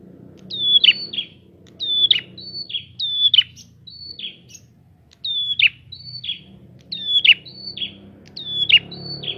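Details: Lure song of a prinia for provoking rival prinias, rapid high whistles with sharp falling flicks, alternating with shorter whistled notes in quick sequence, light low-pitched background noise.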